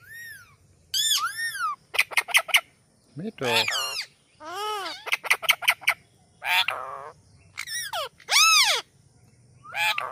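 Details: An Indian ringneck parrot gives a rapid series of harsh, rasping squawks and sharp rising and falling screeches.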